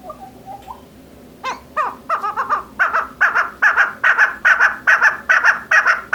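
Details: Calling female chakor, or chukar partridge: faint low notes, then a building series of loud, hoarse chuk calls repeated roughly every third of a second, growing stronger and more regular. Faint background hum.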